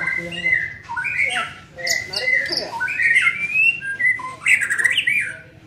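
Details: Young white-rumped shama being trained sings a busy string of clear whistles, buzzy slurs and high squeaky notes, phrases running together with few pauses, over a soft low hum.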